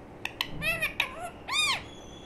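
A young budgerigar gives a few short, harsh, nasal chirps, then a longer arched squawk, all high-pitched and scratchy, in a quiet room.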